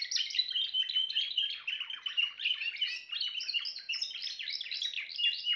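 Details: Song of a Timbrado canary, an unbroken stream of quick warbled and trilled notes, some clear whistled tones mixed with rattling chirps, evenly loud throughout.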